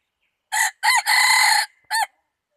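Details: Wild red junglefowl crow, dated 24 February 2019. The crow runs in four parts: a short burst, a two-part note, a drawn-out rasping note, and a short ending syllable after a small pause. No other sounds.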